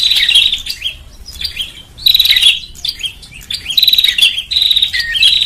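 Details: Bar-winged prinia lure call for attracting birds, given as loud high buzzy chattering trills in regular bursts, each followed by a short wavering whistle, continuing for over five seconds.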